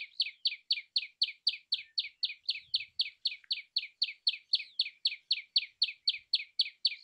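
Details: Insistent chipping song of a common tailorbird, bright notes repeated roughly four times per second at a steady pace throughout.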